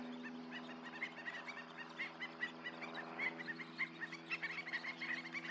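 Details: A murmuration of Western Sandpipers flying at American Canyon Wetlands gives a dense stream of short, thin chirps, overlapping several times a second, over a steady low hum.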